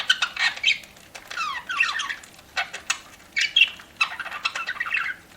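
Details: Budgerigar kept indoors, chirping during a meal: clusters of quick downward-sweeping whistled chirps and chatter, coming in bursts about every second, mixed with sharp ticks.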